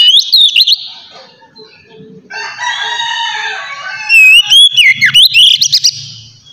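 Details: Oriental magpie-robin singing in the relaxed ngeplong style, used to prompt untrained magpie-robins to sing: loud, sliding whistled phrases open and close the passage, with a softer, buzzy warbling stretch in between.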